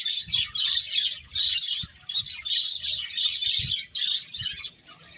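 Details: Finches feeding together produce clustered bursts of shrill, high tweets separated by short quieter pauses.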